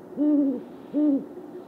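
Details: Two long, deep, even hoots from a great horned owl, one of a male and female pair trading territorial calls, evenly spaced under a second apart against a quiet background.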